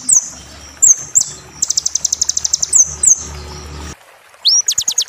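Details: Roll tembak song of a kolibri ninja, played to train a moulting bird: scattered high slurred whistles, then a fast run of sharp repeated notes, more whistles, a near-silent gap and a rising whistle leading into another quick burst.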